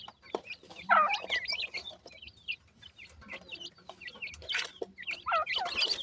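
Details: Pheasant chicks eating feed, giving a busy stream of high, thin peeping chirps, some sliding upward, overlapping in quick bursts with short pauses, plus soft pecking clicks in the background.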